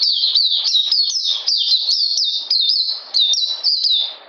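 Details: Caged Oriental magpie-robin, cold rainy weather, 13 June 2020: dense high-pitched song of looping whistled notes that fall and rise in quick succession, fading at the end.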